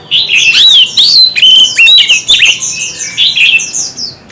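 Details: Oriental magpie-robins in an intense singing duel, the bird performing many voices: rich, varied whistled phrases with sharp rising and falling slurs, rapid chirps and squeaky notes, bursts tumbling over one another almost without pause.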